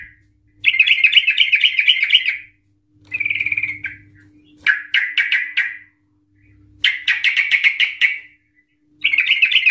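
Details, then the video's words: Agitated Yellow-vented Bulbul giving long ropel, ngikluk-style singing meant to provoke other bulbuls into song: fast warbled, bubbling phrases alternating with quick rattled runs of clipped notes, with short silent gaps between bursts. "Trucukan Gacor EMOSI Ropel panjang Ngikluk Ampuh untuk Pancingan Trucukan agar bunyi Ropel"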